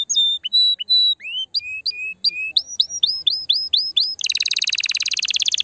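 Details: Canary singing to stimulate the female: spaced whistled notes, then upward-swooping chirps repeated about twice per second, breaking into a dense rapid buzzy trill.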